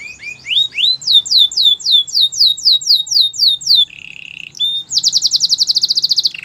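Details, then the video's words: Canary singing a training song: rapid rising whistled sweeps repeated about four times a second, then a brief low buzzy roll and a fast, intense high pulsed trill to finish. "Most popular canary training song"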